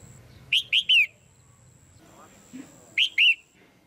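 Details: Female red-whiskered bulbul calling for pairing or to stimulate a male, a trio of loud downslurred chirps followed after a pause by two more, over a thin continuous high whine.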